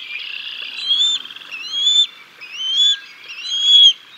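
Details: Bald eagles at the Decorah North nest on 6 May 2022 at dinnertime, the male bringing a fish and feeding the chicks: high, thin whistled chirps with quick upward slurs, in four bursts about a second apart.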